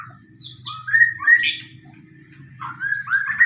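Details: White-rumped shama lure song, from a fighting bird, meant to provoke other shamas to answer: loud clear rising whistles and slurred notes, several high downward sweeps, and a low hum in the background.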